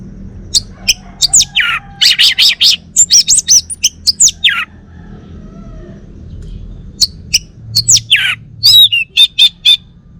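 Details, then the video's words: Domestic male orange-headed thrush from Bali in full varied song: dense runs of sharp chips, buzzy slurs and falling whistles, a pause midway, then another lively burst of squeaky, rising phrases. "Kicau Burung ANIS MERAH Bali Jantan"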